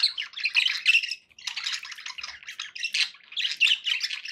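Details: Pet budgies give a dense, harsh warbling chatter of overlapping buzzy squawks and chirps, nearly continuous apart from one short break.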